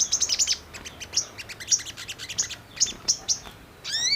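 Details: Brown-throated sunbird song played as a lure to stir birds into calling: quick series of sharp, high-pitched tweets and clicks, clustered in bursts, ending with a few rising whistled sweeps.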